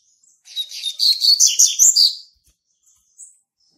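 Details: Young male double-collared seedeater, born in March 2019, defending its territory with a loud, fast, high twittering phrase of about ten chirps over nearly two seconds, followed by a faint lone note.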